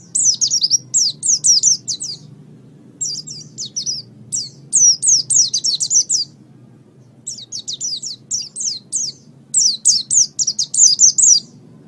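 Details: Oriental white-eye song used as master audio for training birds: repeated bursts of fast, high, thin twittering notes, each phrase lasting about two seconds and separated by short silences.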